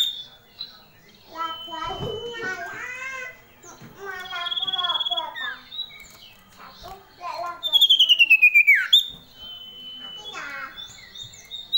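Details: Female common iora, a small, agile yellow bird, calling loudly and clearly: drawn-out high whistles, a fast falling whistled sweep near the middle, and mixed chattering, buzzy notes throughout.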